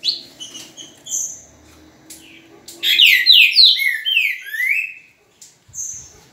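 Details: A green-winged saltator, called trinca-ferro in Portuguese and described as a true one, sings on 10 November at 8:05 in the morning. Short chirps come first, then a loud run of clear slurred whistles that sweep downward and are repeated rapidly, in a quiet room.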